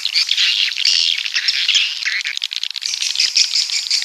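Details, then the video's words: A crowd of coastal swiftlets from the south trilling and chirping continuously; thin whistled notes poke out above a hissing, busy chatter. "Suara Walet Pantai Dari Selatan"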